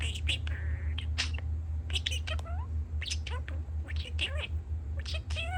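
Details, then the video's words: Pet budgie chatters and talks while construction rumbles outside, a fast jumble of squeaky clicks, warbled whistles and speech-like syllables, many per second, above a constant deep machinery drone. "Talking Parakeet"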